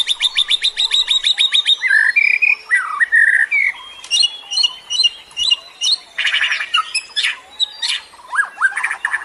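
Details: Birds calling in a lure recording: loud rapid chirp bursts, squeaky rising and falling whistles, then harsh scratchy outbursts in irregular pulses.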